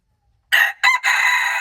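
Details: Red junglefowl, March 2, 2025, giving a crow that starts after half a second of silence: two quick harsh syllables, then a long, loud, level note that is still going when the recording stops.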